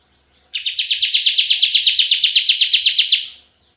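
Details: Bar-winged prinia (ciblek) singing a lively 'tembakan' burst-style song, used as a lure and tutor recording: a rapid, even train of about eighteen sharp, high chipping notes lasting under three seconds, fading at the end, with a quiet background.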